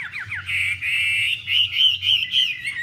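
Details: Female Chinese hwamei (Garrulax canorus) displaying with fanned tail, stimulating the male; loud, continuous warbled song with rapid descending slurred notes at the start, then sustained rich whistles rising and falling, steady low hum beneath.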